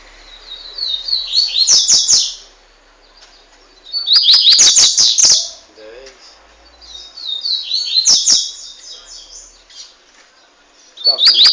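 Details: Double-collared seedeater aged fifteen months, Montanha, Espírito Santo, Brazil, known for speedy, vigorous singing. Four loud bursts of rapid high twittering come roughly every two to three seconds, with short silences and sharp clicks in between.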